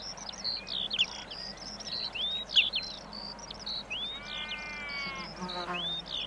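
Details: A common redshank gives close calls and flight display song of clear piping whistles, some rising and some falling, over continuous high twittering skylark song, with sheep nearby and a faint insect hum.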